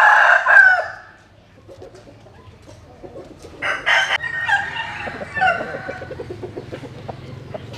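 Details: A rooster at dawn, out sunning in the morning, gives one loud hoarse crow, followed by scattered clucks and scratchy calls from other chickens over low background rumble.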